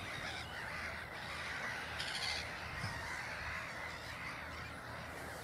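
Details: Black-headed gulls at Ottersaat, Texel, the Netherlands, a parent walking away with chicks following, give harsh, grating kraah calls, overlapping almost without pause, over a steady rushing background.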